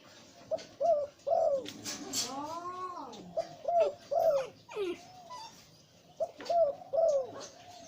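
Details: Breeding male zebra dove with a deep voice: short, low, bubbling coo notes in clustered bursts, each with a slight rising then falling bend, plus a longer arching, sliding sound near the middle and light background noise.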